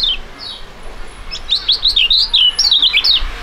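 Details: Two young caged contest songbirds of a fighting type singing together in Indonesia; soft high downslurred notes, then from mid-clip a fast, loud run of sharp, chattering, up-and-down whistled notes, about four per second.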